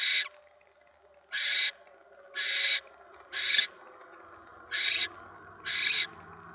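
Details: Barn owl nest at 7:50 PM on 10 November during a mouse delivery: six rasping, noisy hisses of about a third of a second each, spaced about a second apart, with a faint low hum underneath.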